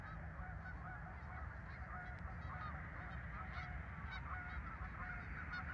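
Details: Geese at a farm park on 10 November 2024, a flock giving overlapping nasal honks throughout, with a steady low rumble underneath.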